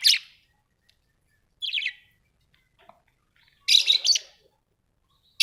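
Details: Home-kept budgerigars give brief, scratchy tweets spaced about one to two seconds apart, with one longer double burst of raspy chatter.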